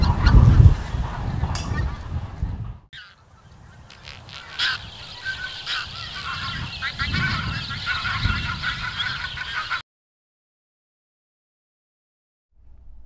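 White-fronted geese in flight give high, yelping, yapping calls in a quick, uneven chorus over a low rumble of wind or flock noise, ending in silence.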